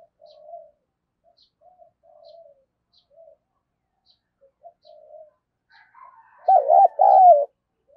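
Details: Decoy spotted dove with a keen, lively voice: several soft, quiet low notes scattered over some seconds, then a sudden loud throaty two-part coo.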